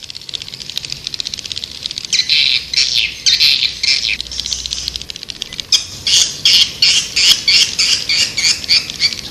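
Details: Lure sound of white-nest swiftlets for attracting the birds: rapid, high, chattering twitters repeated in pulsing bursts about three times a second, a rough buzzy edge on each note, growing steadier toward the end.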